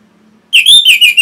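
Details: Orange-headed thrush song used to train and stimulate caged birds to sing, from northern Bali, Singaraja: a loud run of rich whistled phrases, slurred and warbling, after a faint low hum.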